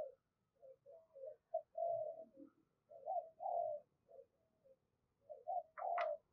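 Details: Caged decoy spotted dove calling with 'thúc' and 'gáy' in the 'thổ' voice style to draw wild doves near. Soft, distant-sounding sequences of short hollow coos and longer drawn notes, with a low rumbling background and a brief sharper note near the end.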